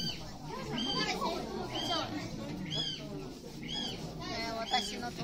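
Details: A kiwi at Tennoji Zoo, Osaka, Japan, gives a series of shrill, arched whistles, about one each second, over a chattering crowd of visitors.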